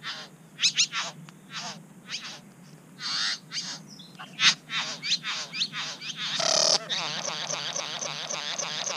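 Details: Wild Satin Bowerbirds (Ptilonorhynchus violaceus) active around a bower in NSW, Australia: quick dry clicks and short buzzy notes in a busy sequence, then a sustained rattling, crackling buzz over the last seconds.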